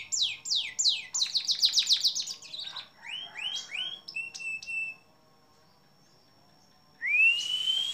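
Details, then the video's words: Canary song from a long-duration training recording for songbirds: fast runs of bright, descending whistled trills, then buzzy rolling phrases and short clipped notes, a pause of about two seconds, and a rising sweeping whistle at the end. "Masteran kenari durasi panjang"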